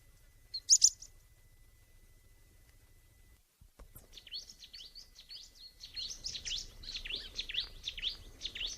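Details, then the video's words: Bar-winged prinia heard outdoors: one loud, high squeaky note, a quiet gap, then a continuous lively stream of high twittering, chattering notes that builds steadily toward the end. "Terapi kicauan alam burung ciblek"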